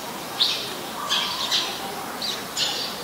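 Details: Eurasian tree sparrow, Passer montanus, recorded in Ubon Ratchathani, Thailand, on 10 May 2020: four or five brief, scratchy, high chirps at irregular intervals, some doubled, against steady low hiss.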